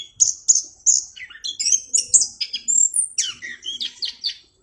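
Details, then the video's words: Orange-headed thrush in full, clear-voiced song, opening with three sharp high notes and then a quick jumble of high chirps, slurred whistles and twittering phrases. "anis kembang gacor suara jernih"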